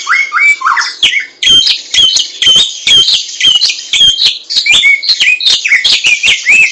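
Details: Laughingthrush (samyong) singing in the wild: loud whistled notes, some rising and some falling, mixed with harsh broadband chattering bursts, delivered in a fast, irregular stream almost twice per second.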